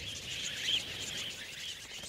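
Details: A wild budgerigar (Melopsittacus undulatus) flock in the Australian outback desert, where the native grasses are seeding, chatters in a steady, dense wash of high chirps and warbles with no pause, one brighter chirp rising briefly above the rest.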